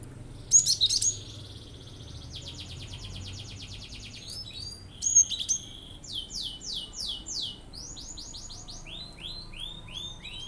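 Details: Cinereous tit (glatik batu) shooting out provoking song to make other birds join in: two loud shrill chattering bursts, then long runs of rapid, rhythmic, rising-and-falling high notes repeated in quick series.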